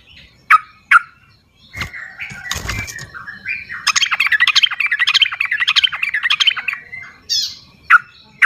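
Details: Sooty-headed bulbul in the wild, used as a lure call for captive bulbuls that will not sing: a long run of rapid, bubbly chattering notes near the middle, with scattered sharp chips, wing flaps and rustling before it.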